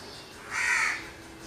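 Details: One harsh, drawn crow caw of roughly half a second, standing out clearly above a low, even background hiss.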